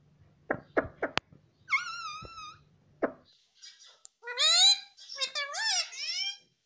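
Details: Pet parrot (mittu) vocalizing indoors: a few clicks and taps, then a steady whistled tone, followed by bright, high, wavering word-like squawks; a person says "Mommy" afterwards.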